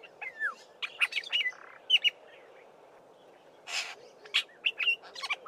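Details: Black-bellied starling song laced with mimicry of Fork-tailed Drongo and other local birds: scattered twangy whistles, clicks and falling slurs, a brief pause, then a loud harsh rasp followed by more varied chirps.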